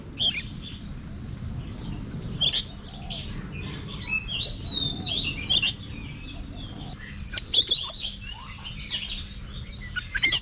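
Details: Competition-style song of an Oriental magpie-robin for voice training. Spaced sharp clicks early, then a longer run of varied whistles and chatter toward the end, with some background noise.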